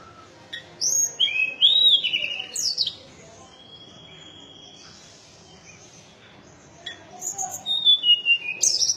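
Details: Mountain tailorbird singing sharp high whistles, a looping upslurred note and descending phrases, a quiet pause, then another burst of high whistled notes.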